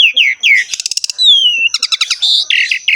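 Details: Energetic 'ngerek' song of a Javan pied starling, used for training kept birds: three falling whistles, a burst of rapid clicks, one long descending whistle, then stuttering chatter and buzzy notes.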